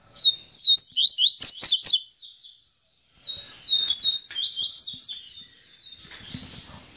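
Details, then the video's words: A double-collared seedeater sings in the tamborete style after mating with its female: dense rapid sequences of sharp high slurred notes, one burst, a short break, then a longer fading run. "COLEIRO TAMBORETE APÓS ACERTAR A FÊMEA"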